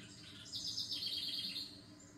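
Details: Relaxing birdsong: a high, sweet trill of rapidly repeated notes lasting over a second, dropping slightly in pitch, with a faint low background hum.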